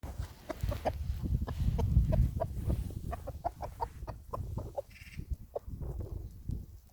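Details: Chickens clucking in a quick, irregular series of short mid-pitched clucks, roughly three a second, over a steady low rumble of background noise.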